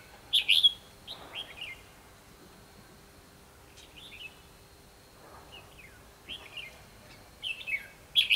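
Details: Red-whiskered bulbul giving a fighting song while being trapped: bright whistled phrases in bursts, falling and rising notes repeated every couple of seconds, quieter gaps between.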